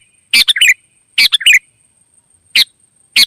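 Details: Wild sooty-headed bulbul answering a call: two quick bubbly triple-note phrases, then two single sharp notes, loud and close, with a faint continuous high whine behind.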